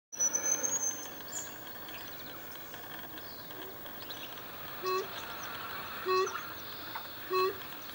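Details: Brush bronzewing giving deep, hollow hooting notes, one about every 1.2 seconds in the second half, after high thin chirps of other small birds at the start, over steady low background hiss.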